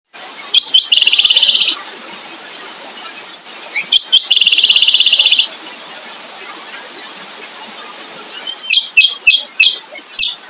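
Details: White-eye (kecial) singing in a kombo style: buzzy, high trills lasting about a second each, repeated with short chirps in between, ending in a run of quick separate notes.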